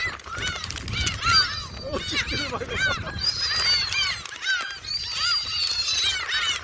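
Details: Jebudo gulls in South Korea, fed shrimp crackers, give repeated arched mewing yelps and longer thin high wails from several birds, with a person's voice briefly audible in the middle.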